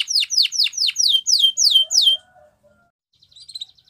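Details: Canary delivering a series of loud descending whistled notes, about seven in two seconds, then near silence with a faint soft chatter at the end.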